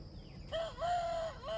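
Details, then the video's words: Wild junglefowl competing to crow around a trap: a clear, even-pitched crow that dips briefly, holds level and then rises again, with soft ambient hiss. "wild chickens compete to crow"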